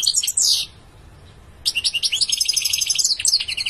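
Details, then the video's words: A European goldfinch opens with a quick twitter and a sliding descending note, falls silent for about a second, then resumes with a long rapid liquid twittering trill. "Beautiful goldfinch singing"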